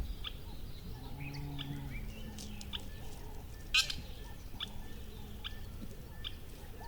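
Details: Bird chirps in the open air: sharp, high notes every half second to second, some rising slightly, with a constant low hum and faint lower tones underneath.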